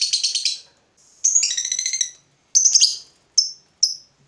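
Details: Heated fighter lovebird sounding short bursts of shrill, buzzy chattering, each about half a second to a second long, ending with two lone sharp chips.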